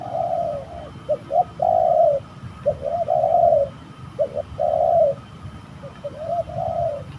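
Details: At a reportedly eerie spot where birds were being trapped, a spotted dove coos while fighting: clusters of quick short notes each leading into a longer soft burry coo, repeated several times.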